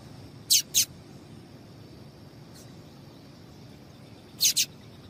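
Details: Two quick paired chips from a female double-collared seedeater, a call meant to set males singing, then a long quiet gap before another doubled pair of high notes.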